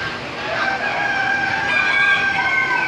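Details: Chickens at the Wilson County Fair in Tennessee, several birds crowing at once in overlapping drawn-out harmonic calls that blend into a steady barn chorus with faint background murmur.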